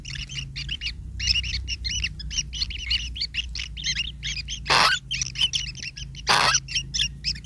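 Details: Long-tailed shrike chicks begging as a parent brings food: rapid harsh chattering squawks, double-banded and repeated in dense bursts, with two loud broadband noise bursts near five and six and a half seconds and a low steady hum beneath.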